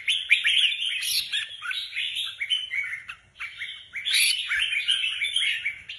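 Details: Competition Red-whiskered bulbuls, caged and prepared for a contest, deliver an almost unbroken stream of bright chirping, warbled notes with sharp upward flicks, dipping briefly near the midpoint before resuming strongly.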